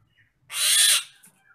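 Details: Nias hill myna, agitated, lets out one broad, rasping screech lasting around half a second, with a soft short whistle just before and a faint note after.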